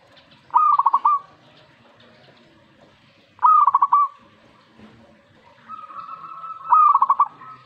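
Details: Zebra dove answering a master recording with three trilled coo phrases about three seconds apart, each stuttering quickly before a longer closing note; a steady tone runs under the last.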